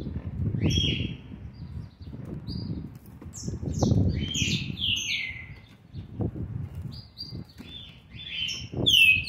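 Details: Green-winged saltator at seven months and 20 days, 13/11/2020, offering scattered short whistled downslurs and a bright final note, amid repeated low fluttering and thumping sounds.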